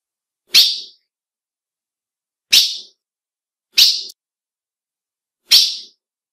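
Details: Female ultramarine grosbeak giving four short, sharp, high chip notes at uneven intervals of one to two seconds, with silence between them; males recognise and are stirred up by this female call.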